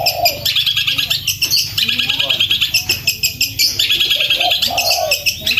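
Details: Long-tailed shrike in the kuntilanak song style, loud rapid delivery for training other songbirds: dense high chattering chirps and trills, overlapping fast bursts, a lower cooing phrase early on, steady low hum throughout.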